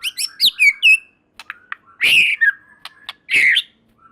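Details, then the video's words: White-rumped shama singing hard, a song said to trigger other shamas: high twittering notes, then harsh buzzy squawk-like bursts alternating with short whistles and clicks. "Murai Batu Gacor Super Mantul Murai Lain Otomatis Ikut Bunyi"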